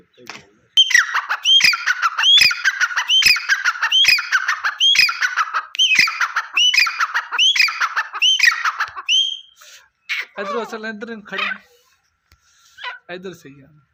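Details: Deccani partridge calling, a loud series of rising, ringing notes repeated roughly every 0.7 seconds for about nine seconds, followed by softer chattering and a few scattered notes.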